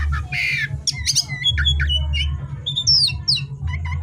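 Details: Oriental magpie-robin (kacer) in full 'gacor' song at night: a rasping squawk opens the phrase, followed by quick chirps, buzzy notes and a high falling whistle, with a low droning hum underneath.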